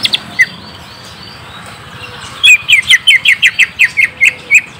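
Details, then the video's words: Lure song for a young green leafbird: a few isolated chirps, then a steady run of about a dozen loud, sharp chirping notes roughly five per second. "Pancing cucak ijo bakalan / mh langsung nyaut bunyi"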